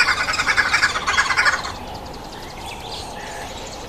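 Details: Rhythmic, harsh cackling from a red-billed wood hoopoe at a feeding table, fast pulsed notes for about a second and a half, then fading to softer, distant chatter.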